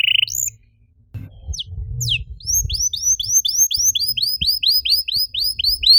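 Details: Canary song played to spur other canaries into singing: a short trill, a gap with low background noise, then a rhythmic run of high hooked chirps repeated about four per second.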